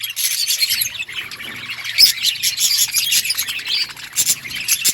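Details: Outdoor colony of budgies kept for breeding, many birds chattering at once in a steady high twittering wash, with sharper squawky peaks around the middle and near the end.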